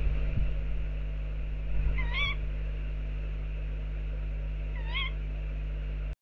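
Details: Tawny owls near a nest box: two separate short, harsh, upward-inflected calls about three seconds apart, over a constant low hum and a few early knocks.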